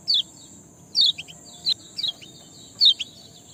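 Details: Sparrow chirping, used as a lure to make reluctant birds sing: short high notes dropping in pitch, given singly or in quick pairs about once a second, over a steady thin high hiss and faint low rumble.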